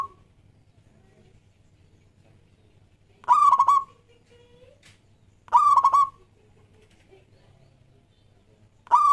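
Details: Local Zebra Dove in vigorous song, used to get other doves singing: a phrase end, then two full stuttered, rolling coo phrases a little over two seconds apart, and the start of another. A faint hum sits underneath.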